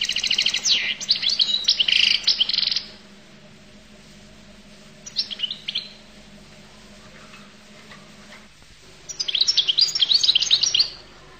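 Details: Collo-type goldfinch giving three separate phrases of fast, high twittering and trilling notes, with quiet gaps between them and a steady low mechanical hum in the background.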